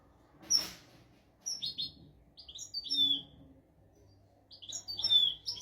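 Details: Tutor song of a European goldfinch, royal style, intended for teaching goldfinches and canaries; short groups of high, sweet chirps and twitters with brief pauses between them, fairly soft overall.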